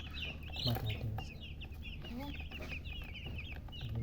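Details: Chicks with a hen, peeping in rapid high chirps, with lower clucking beneath and steady low background hum.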